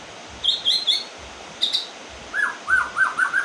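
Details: White-rumped shama just finished moulting, singing in the rain: short clear whistled phrases, a trio of high notes then a lower run of four rich, slurred notes, with soft low thumps between.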